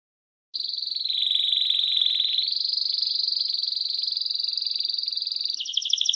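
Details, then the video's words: Canary giving sustained buzzing rolls that step up in pitch, then break into a fast pulsed trill. "Canary-Canario Singing 2017(Kanarya Ötümü)"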